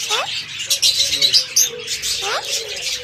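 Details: Pet parrot talking, with two rising whistled sweeps and voice-like chattering, mixed with harsh, breathy, high-pitched noisy sounds throughout.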